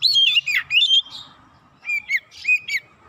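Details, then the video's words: Oriental magpie-robin lure song meant to provoke other birds, fast and insistent: harsh, squawky sliding notes open, then after a brief gap three short rising whistles. "PANCINGAN KACER CEPAT KONSLET NGOTOT BONGKAR ISIAN"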